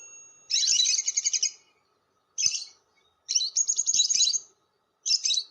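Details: Lovebird chatter used as a lure call for other lovebirds: four shrill buzzy bursts, the longer ones made of rapid trilled pulses, separated by clean silences.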